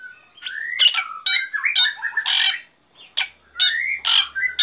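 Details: Black drongo in the morning giving harsh, squawking notes mixed with rising whistled slurs and buzzy chatter, delivered fast and nearly continuously with one brief pause.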